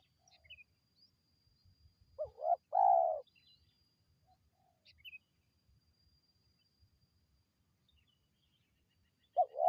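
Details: Spotted dove call played to lure wild birds: low, hoarse coos, a short note and then a longer, louder rolling coo, with another coo starting at the end, in a quiet rural setting with faint chirps.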